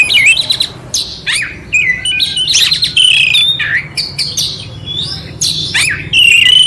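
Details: Clear kacer, oriental magpie-robin, song with rough fill for rousing a quiet bird; irregular bursts of scratchy notes and looping whistles separated by brief pauses, ending on a long steady whistle.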